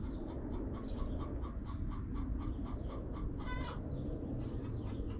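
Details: Backyard chickens in their coop: a hen gives a run of soft, regularly repeated clucks, broken by one louder ringing harmonic call after three seconds, with low droning noise throughout.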